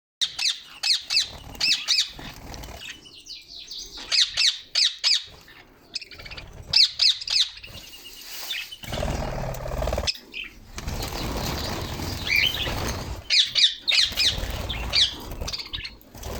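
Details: Pet budgerigars feeding on seeds and millet inside their cage give rapid, scratchy chirps and squawks in bursts, with a stretch of rustling noise between.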